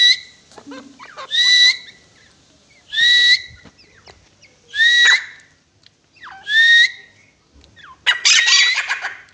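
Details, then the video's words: Grey francolin calling in loud, rising whistled notes repeated roughly every two seconds. The series ends in a burst of harsh, noisy chatter. "Dakhani Titar ki awaz"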